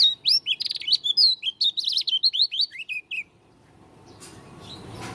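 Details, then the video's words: Lombok Oriental white-eye of the dakun type giving a strange song: a fast string of high, sharp, slurred chirps for three seconds, then quiet with rising background noise. "Pleci dakun lombok suara aneh"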